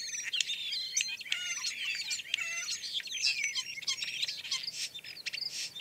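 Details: European starling on a very overcast, grey day, filmed from about 26 feet: a dense, nonstop jumble of high whistles, slurred slides, clicks and squeaky notes with no steady rhythm.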